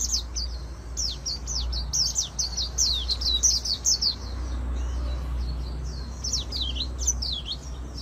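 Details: Oriental white-eye singing a dense, very fast 'líu' competition song in magpie-robin style for voice training; shrill zigzagging high notes pour out continuously over a steady low hum.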